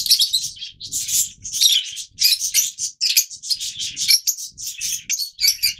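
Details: Near-continuous shrill chirping and squealing from yellow-mutation Fischer's lovebirds, many sharp high notes tumbling together with little pause.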